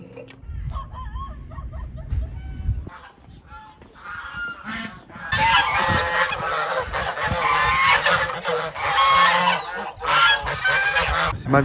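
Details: Domestic geese at a local reserve in a snowy rural village in northeast China, a place where much goose meat is eaten: speech at first, then loud, overlapping nasal honks in a noisy chorus.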